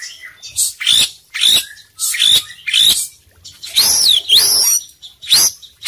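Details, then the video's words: Kacer poci Oriental magpie-robin in full isian song, repeating short sharp notes with a whistled upper tone about every half second, then a pair of longer arched whistles. "suara kacer poci gacor full isian"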